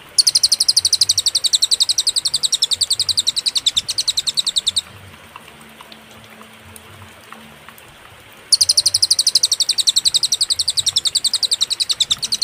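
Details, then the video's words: Cililin song from a master recording for training songbirds, clear with pauses: rapid, high chipping notes for almost five seconds, a pause of nearly four seconds, then the same fast chipping resumes to the end. "masteran suara, burung cililin suara jernih & berjeda"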